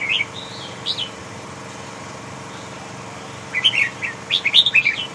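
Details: Large Huế-type red-whiskered bulbul: a couple of short lilting notes, then after a pause a rapid tumbling phrase of clear chirps and sliding whistles, with faint steady hum behind.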